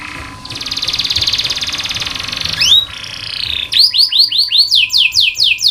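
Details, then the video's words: Canary song used as a tutor recording for training young canaries to sing: a long buzzy trill, then rising whistled swoops and fast repeated descending sweeps, with a steady faint hum beneath. "KENARI malas bunyi, Terapi untuk kenari masteran canary"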